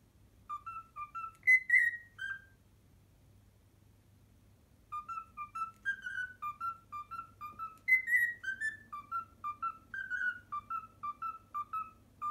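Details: Captive cockatiel whistling the learned Pythagora Switch opening melody in two phrases split by a few seconds of silence, each a quick string of short pure notes with occasional higher slurred tones.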